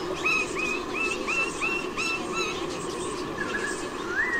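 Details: White-bellied sea eagles in Sydney, Australia, October 2018, defending the empty nest from intruders; a run of about eight quick, nasal upward-inflected honks, then a pause and two longer rising notes, over background hiss.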